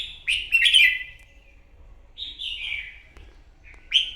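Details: Red-whiskered bulbul, a newly caught bird, singing competitively at morning: a loud chirpy warbled burst at the start, a gliding slurred descending phrase near 2.3 seconds, and another bright chirp at the end, over quiet hum.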